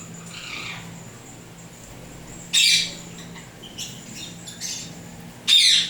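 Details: Indian ringneck (rose-ringed parakeet), turquoise blue or turquoise blue harlequin pet, gives two loud, harsh screeching squawks about three seconds apart, softer scratchy notes between, low steady hum behind.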